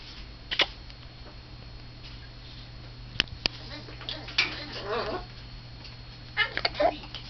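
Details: A pet talking mitred conure that loves to laugh and kiss makes sharp kissing smacks, then a raspy, bubbling chuckle that rises and falls, with a few more smacks and chuckles at the end; quiet room.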